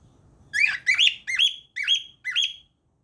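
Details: A cockatiel (Nymphicus hollandicus) gives five loud, harsh, rising chirps in quick succession, about two per second.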